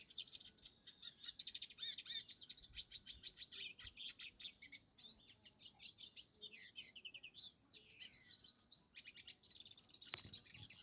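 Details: Wild hooded siskin living free on a farm, delivering a long, rambling song of rapid high twitters, buzzy trills and quick slurred whistles, almost unbroken for ten seconds, against a quiet background.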